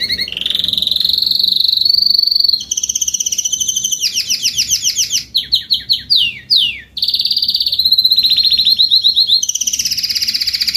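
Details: Adult Spanish Timbrado canary singing in the salsa style: a rapid rolling trill that shifts through sustained buzzy rolls, sliding down-sweeping notes and fast chattering bursts, with almost no pause.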